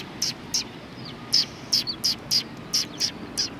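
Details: Eurasian tree sparrows recorded 29 November 2019 as one comes to receive insects; nine clipped, high-pitched chirps spaced irregularly, each brief and bright, with quiet gaps between.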